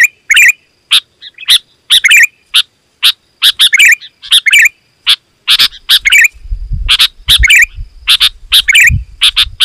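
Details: Sooty-headed bulbul calling loud and busy, a sound for luring wild birds: repeated sharp chirps and bubbly phrases, with low rumbling noise joining in the second half.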